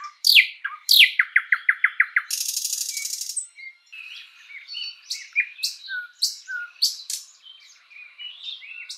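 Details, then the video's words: Spring forest song of a thrush nightingale: two sharp descending whips, a quick run of clacking repeated notes, a harsh one-second rattle, then softer varied whistles and chirps. "Bird sounds Nightingale bird singing"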